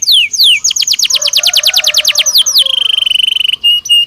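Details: Belgian canary, natural song used to train canaries daily; descending whistled sweeps lead into a rapid, evenly repeated trill, closing with a steady high rattling tone broken by short gaps.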